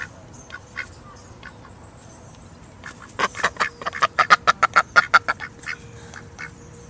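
A duck gives a fast run of about a dozen harsh, nasal quacks, several each second, with a steady faint hum behind.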